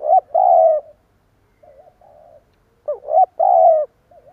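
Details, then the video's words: Spotted dove giving a stuttering coo, the style called gù cà lăm: two quick rising notes then a long low steady coo, softer wavering notes between, the phrase repeating after about three seconds in a quiet setting. "Tiếng chim cu gáy gù cà lăm gáy thúc gù kích bổi"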